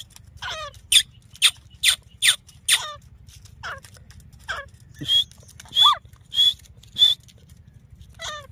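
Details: Female grey francolin recorded in Layyah, Punjab, Pakistan, her call used for hunting: a run of sharp, high, clipped notes about every half second, then a pause, then more rasping downslurred calls, over a low hum.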